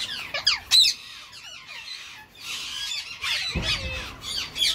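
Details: Indian ringneck parakeet male, Grey Edged mutation, making moves on his female mate as spring comes; sharp squawks and sliding chirps, a quieter pause mid-way, then dense chattering resumes with a low thump.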